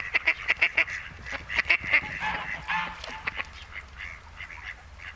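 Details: Courting mallards at Noia's Malecón de San Lázaro, Ría de Noia, two males and a female in breeding season: rapid clusters of short nasal notes at first, easing into longer, softer calls toward the end.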